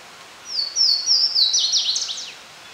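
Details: Louisiana waterthrush (Parkesia motacilla) singing in spring (April–May 2019) along the Potomac River near River Bend Park, Great Falls, Virginia. It gives a bright, high song of a few clear slurred whistles running into a quick jumbled twitter that drops at the end, over faint outdoor hiss.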